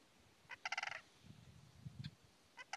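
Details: Greater sandhill crane at a wildlife refuge in Alturas, California: a distant rolling, rattling call in quick pulses with rich overtones, then two shorter bursts, over low rumbling background noise.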